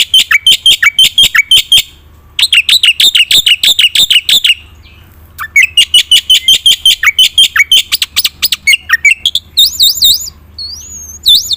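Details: Black-winged myna singing a varied fill-in song meant to coax quiet birds: long fast trills of clear repeated notes broken by brief gaps, ending in high wavering whistles that swoop up and down.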